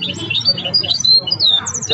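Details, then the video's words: Goldfinch hybrid singing: a quick run of bright, high twittering and chirping notes with short sliding whistles and buzzy trills in rapid succession, with faint speech and low background murmur underneath. "الهجين الأسطوري الذي أثقن تغريد"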